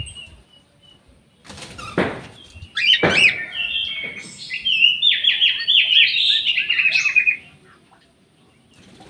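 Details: Orange-headed thrush kept in an aviary sings a long, fast, rattling run of repeated high warbled notes after two loud knocking sounds, then falls silent.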